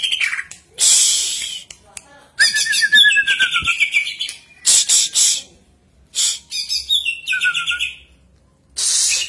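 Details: Greater green leafbird song used as a lure to get other birds singing regularly: bursts of high chirps and buzzy notes alternate with clear whistled phrases, including a falling trilled whistle, separated by short pauses.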